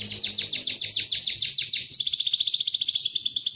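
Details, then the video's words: Long canary song meant to coax young canaries into singing: a series of repeated downward-sliding notes followed by a rapid, pulsing high trill. "kenari gacor panjang | Memancing kenari muda agar cepat gacor"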